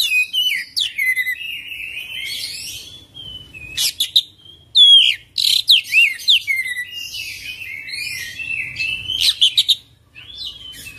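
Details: Oriental magpie-robin singing a long, varied, rolling song: loud sweeping whistles, sharp upslurs and scratchy chatter in quick bursts, with brief gaps between phrases.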